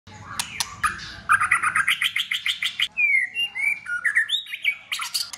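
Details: White-rumped shama singing in competition style, tail flicking, with many voices in its song: a burst of sharp notes, then a rapid string of repeated buzzy trills, followed by clear rising and falling whistles.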